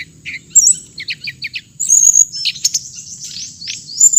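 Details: A hồng hạnh songbird gives a string of short chirps, then loud, bright warbling with rising whistled sweeps packed closely together.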